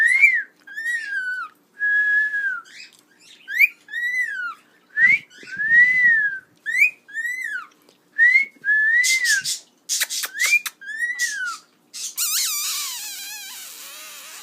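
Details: A male pet cockatiel, adopted from a pet store where he whistled and flirted at passers-by, whistles a string of clear, arching notes that rise and fall in a tuneful phrase.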